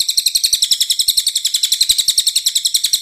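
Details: Lively, clear-voiced cililin delivering a continuous high-pitched chattering series, each sharp chirp repeated roughly four times per second with steady loudness throughout. No background sounds.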